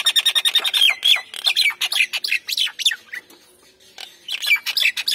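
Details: Nias hill myna, male and female, calling vigorously: a fast string of loud harsh notes with sharp squawks, a short pause, then another rapid burst of chattering notes.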